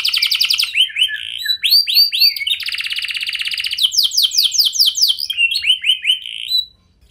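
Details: Song of a constantly singing canary, played to make other canaries respond. A varied medley of fast trills, upward sweeps and a steady buzzy roll ends abruptly in silence.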